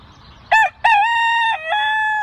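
A rooster crows: a brief opening note, then a long, loud, drawn-out harmonic cry that dips briefly and carries on steadily, with a low background hum.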